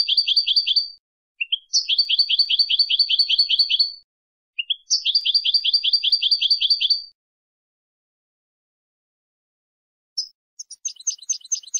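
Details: European goldfinch song from a recording used to train goldfinches for singing contests: long, fast runs of high tinkling notes, about two to three seconds each, with short pauses between and no other sounds.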